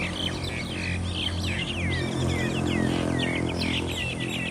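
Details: A group of mynas in Thailand fighting one another: a rapid, overlapping run of harsh chattering notes mixed with short rising and falling whistles, about three calls per second, over a steady low hum.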